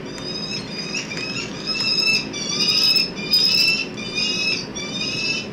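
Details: Wild peregrine falcon pair at their nest during egg incubation, after the female went missing for two days. A harsh, harmonic-rich wailing call repeats a little faster than once per second over a steady background hiss.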